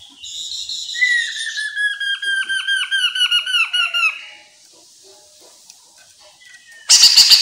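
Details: Chestnut-capped laughingthrush, known locally as poksay mandarin, singing energetically as a lure to make other birds reply; a long series of clear whistled notes, each sliding downward, repeated rapidly for about three seconds, ending with a loud sharp burst.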